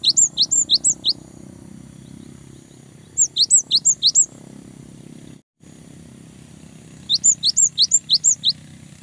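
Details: Cinereous tit singing hard to goad rivals and prompt young birds into daily song: three phrases of shrill, bouncing two-part whistles repeated quickly, with a brief dropout midway and a soft background rumble.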